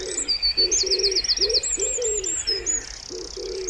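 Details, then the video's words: Wood pigeon calling by a pond in spring: a run of soft, low hooting coos in quick succession over about three seconds, while small songbirds chirp and trill in high, rapid notes above. "Wood Pigeon Sounds"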